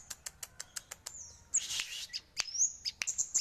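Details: Crested jay, kept as a songbird: crisp rapid ticks lead into a rasping harsh burst, then thin slurred whistles mixed with further high clicks.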